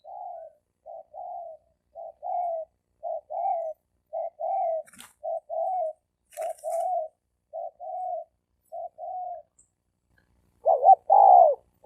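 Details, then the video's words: Fighting challenge between male spotted doves. A long run of short, soft, mid-pitched coo notes is repeated rapidly and somewhat irregularly. It ends in a loud two-part coo, with a couple of brief rustling clicks. "Tiếng chim cu gáy bổi đấu bổi cực chất cực hay dùng cho anh em đánh kích bổi trống đánh nhau"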